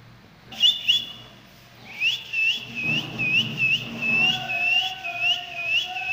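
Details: Rose-ringed parakeet babies, ringneck chicks kept at home, giving a run of short, sharp, rising whistled notes repeated about twice a second, with a few brief notes before and a faint lower tone running underneath.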